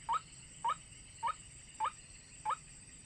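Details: White-breasted waterhen lure call: five short rising notes spaced about half a second apart, each a quick upward slur, with a faint continuous high tone behind.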